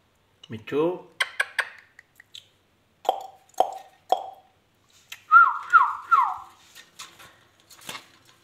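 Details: Talking Indian ringneck parakeet: a gravelly spoken syllable, a string of dry clicks and three short nasal calls, then a series of four falling whistled slurs, in a quiet indoor setting.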